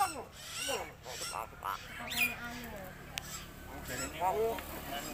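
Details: Pet common hill myna that can imitate any sound, including a human cough; rough, voice-like cough and speech-like syllables with harmonic bands, followed by short squeaky whistled notes, alongside human talking nearby.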